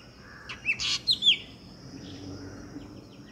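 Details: Black drongo that comes to drink at a garden birdbath beside trees, recorded on a mobile phone: a quick burst of four or five sharp, metallic chirps and upslurred whistles, then quiet with faint distant notes.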